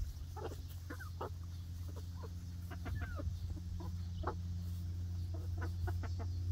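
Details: Young egg-laying hens, a new flock on their first day in a new outdoor backyard run, giving short clucks and chirpy calls scattered irregularly over a steady low hum.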